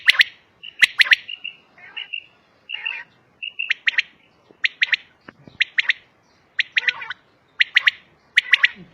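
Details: Female common quail, or batair, calling: paired and tripled sharp notes repeated about once a second, with softer drawn-out notes between the early groups.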